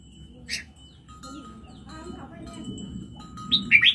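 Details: Hand-raised red-whiskered bulbul in Laos: a short burst of bright notes near the start, then a louder cluster of sharp warbled phrases at the end, over a low background hum with faint steady tones.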